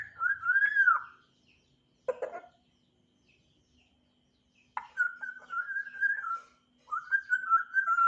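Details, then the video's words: African grey parrot starting to chirp: an arched whistle, a short rough note, then two long wavering whistles held steady at one pitch, with quiet gaps between. "Burung African grey berkicau"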